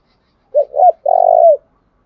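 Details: Decoy spotted dove luring wild doves: a clear three-part coo, two quick rising notes followed by one drawn-out, rolling, slightly falling coo in otherwise quiet surroundings.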